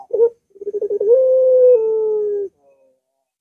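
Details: A short clipped coo, then stuttering pulses that build into a long, steady, low hooted tone, dropping a little midway and fading. This Barbary dove song is played to make a reluctant dove start singing.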